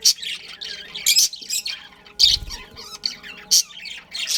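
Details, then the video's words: Breeding pair of pet budgerigars giving loud, harsh squawks roughly once a second, spaced irregularly between softer twittering chatter, with a brief low thump partway through. "Budgies Chirping Sounds"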